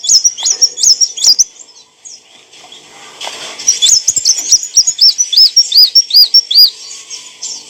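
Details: Song of an olive-backed sunbird, recorded for training caged songbirds: high thin twittering and clicks at first, then a run of bright arched whistles, about three per second, after a short lull.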